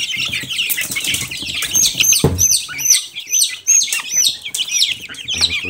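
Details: Silkie chicken chicks cheeping together, a dense stream of high, sharply falling peeps overlapping without pause, with a few low rustles and a soft thump near the middle.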